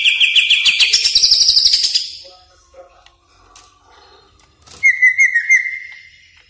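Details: Greater green leafbird (cucak ijo) in full song, used as lure and tutor recording for caged birds: loud rapid trilled phrase at high pitch, a pause with soft notes, then a steady whistled trill on one lower pitch.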